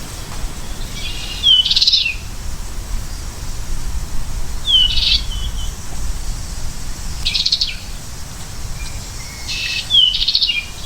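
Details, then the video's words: American goldfinch gives short, high, bright notes and quick down-slurred chips, spaced every two to three seconds, over a steady low rumble. "Goldfinch Bird Sound"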